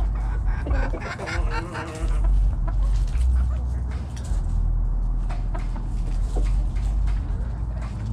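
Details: Backyard chickens foraging in the morning, a stuttering run of stacked clucks in the first two seconds, then sparse quieter clucks over steady low noise.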